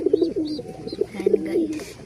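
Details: Pigeons being fed, cooing steadily: low, rolling coos in quick bursts, each swelling then trailing into a drawn-out note, repeated about three times, with faint higher chirps behind.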